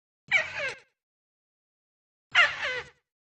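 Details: Two loud, raspy, squealing bursts from a crake, used as a lure call, with about one and a half seconds of silence between them.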